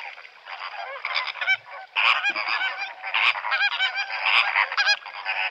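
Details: Greater flamingo (Phoenicopterus roseus), flock calls.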